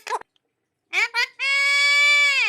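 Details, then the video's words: Talking rose-ringed parakeet, a pet bird that mimics human words, coached by people speaking Bengali nearby; two quick clipped syllables lead into a long, steady, shrill drawn-out tone lasting over a second. "কথা বলতে পারে এই টিয়া পাখি"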